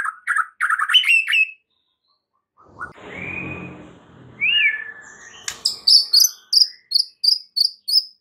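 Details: White-rumped shama song used as a lure for stressed birds: a fast chirping burst, a long smooth whistle and slur, then a rhythmic string of short high notes repeated about every third of a second.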